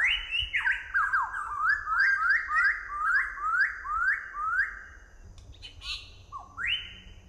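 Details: Southern variable pitohui (Pitohui uropygialis), song.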